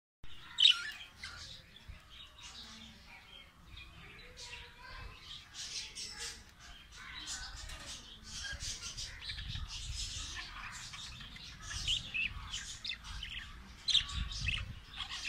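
Budgerigars chatter in a continuous run of rapid, scratchy warbles and sharp chirps.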